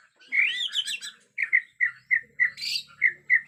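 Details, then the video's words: Agitated Bornean white-rumped shama singing in a forest setting: a rich warbled phrase, then a series of short whistled notes repeated about three times a second, with a high buzzy burst between. "Murai Batu Borneo Ngamuk suara asli hutan"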